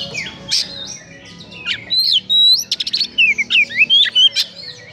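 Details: Oriental magpie-robin (kacer) giving a harsh, lively song said to stir up emotion: rapid varied whistles, sharp rising and falling slurs and buzzy clipped notes in quick bursts, with a low hum underneath.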